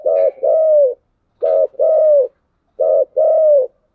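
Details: Three repeated cooing phrases of a spotted dove of the 'giọng đồng' voice style, each a quick burred note then a sustained, slightly falling coo, spaced roughly every one and a half seconds.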